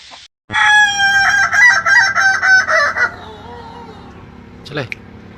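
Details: Kukuak Balenggek chicken, known for its melodious, stepped crowing, gives a loud two-and-a-half-second crow broken into about six rhythmic pulses, ending in lower wavering notes, with a brief sharp sound afterwards.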